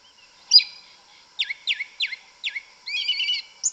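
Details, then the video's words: Forest song of a yellow-legged thrush, the black sabiá: one sharp high note, then a series of four quick down-slurred chips and a fast buzzy trill ending on a high note. "Sabiá Una cantando no mato. Lindo canto mateiro da sabiá preta"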